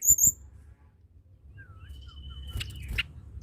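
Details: Singing blood-breasted flowerpecker, a sound for getting reluctant tledekan to sing: a piercing high chirp pair, then a thin long steady whistle with small slurred notes and two sharp clicks near the end, over low background rumble.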